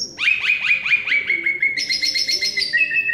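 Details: Energetic song of an Asian pied starling from Semarang, Indonesia: a fast series of sharp upslurred chipping notes repeated about five times a second, shifting into higher layered whistles and a final lower note.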